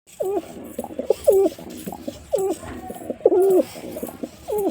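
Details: A white male pigeon coos in low, throaty, bending notes, about one a second, over a faint background rustle.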